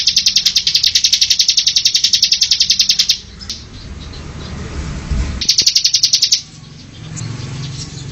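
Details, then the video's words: Bar-winged prinia semi-style song meant to train caged ciblek. A long, fast, high trill is followed by a hissy gap, then a second, shorter burst of the same pulsing trill. "Masteran burung ciblek semi"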